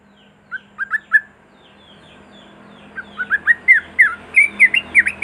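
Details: Sooty-headed bulbul, a recording used to prompt silent bulbuls to sing: short bubbly, chortling notes, three at first, then a longer run of quick rising and falling phrases that grows louder.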